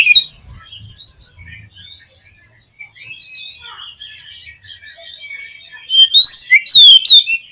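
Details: Oriental magpie-robin song played as a lure to stir a pet bird into singing: faint high chattering from several birds, then a loud burst of clear, sharply rising and falling whistles near the end.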